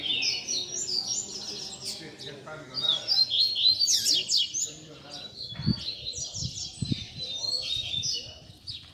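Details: Coleiro tutor song for young birds to learn from: long, dense stream of rapid high warbles, trills and buzzy notes, with some soft low thumps and faint talking.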